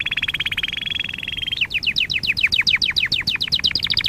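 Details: Canary song meant for training: a fast even rolling trill for over a second, then a series of clear repeated downslurred notes at a quick, steady pace.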